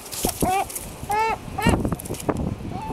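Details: Herring gull in its breeding colony giving a few short, harmonic calls, some bending up then down, irregularly spaced over soft low thumps and background noise.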